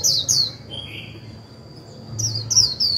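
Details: Decoy white-eye in 'líu' song intended to rouse other birds: a pair of high, slurred chirps, a lower softer note, a pause, then another run of bright descending chirps.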